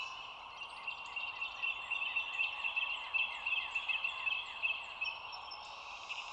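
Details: Dulles Greenway nest, bald eagle seen from an overhead cam at 07:16 on 25 March 2022; sustained fast chittering of shrill, falling notes for most of the stretch, then a thin whistle from another bird, steady background hiss.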